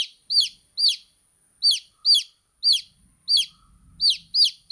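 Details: Baby chicks peeping: loud, clear downward-sliding high notes in quick, slightly irregular pairs and runs, about eleven in under five seconds, with silence between.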